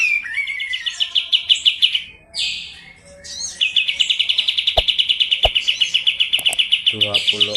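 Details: Medan-type kapas tembak white-eye, recorded on a Tuesday in June 2025, delivers a fast rolling trill, pauses briefly with a buzzy note, then rolls on in a long, steady, rapid rattle. Faint clicks are heard near the end.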